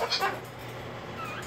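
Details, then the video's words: Female pet cockatoo protesting at being put back in her cage gives one harsh, raspy screech that breaks off quickly and fades into a quiet room. "Cockatoo freakout"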